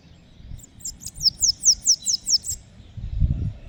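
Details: Bananaquit singing on the street: a quick run of about seven thin, very high notes, each slurring downward, delivered in a little over a second, then silence, with low traffic-like rumble underneath.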